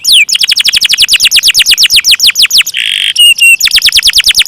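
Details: Canary in full song in the long-roll style. A fast roll of descending whistled notes, about seven each second, is broken by a brief harsh buzzy burst and a few upswept notes, then the rapid roll resumes.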